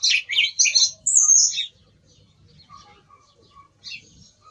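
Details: Song thrush in song, a quick run of bright, high chirping notes ending in a thin descending whistle, then near quiet with soft distant calls.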